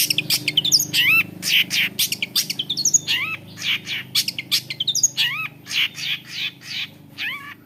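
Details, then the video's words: Cendet, the long-tailed shrike, pours out a busy imitative song: a rapid jumble of clipped chirps, buzzy bursts and upward-sweeping whistles, varying constantly from note to note without settling into a pattern. "CENDET GACOR. Long-tailed shrike bird. Lanius Schach"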